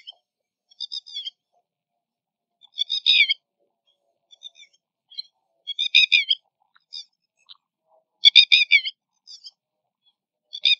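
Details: Red-wattled lapwing (Vanellus indicus), recorded in India, crying with loud, shrill, clipped notes in quick bursts of three to five, repeated every few seconds against a quiet background.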